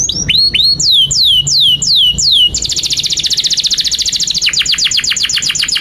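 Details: Canary singing a long, unbroken song meant for tutoring young canaries: hooked chirps, then slow evenly spaced falling whistles, switching into a very fast high rolling trill that slows slightly near the end.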